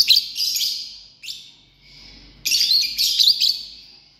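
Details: Lovebirds in a family group chattering with rapid, piercing, buzzy chirps in dense bursts. Two loud volleys are separated by a brief softer, falling note.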